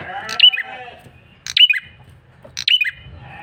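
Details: Bar-winged prinia male lure call: three shrill, squeaky chip-and-flick notes about a second apart over a soft harmonic murmur and low background hum.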